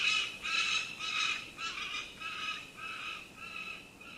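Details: Falcon giving harsh, grating calls, a string of about eight rasping notes roughly every half second, each fading slightly weaker than the last, with no other sounds clearly heard.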